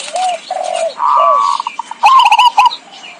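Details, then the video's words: Trapping lure of zebra dove cooing: a few soft descending coos, then a sustained rolling trill that breaks into quick stuttered notes and a final clipped burst of cooing. "suara pikat burung perkutut"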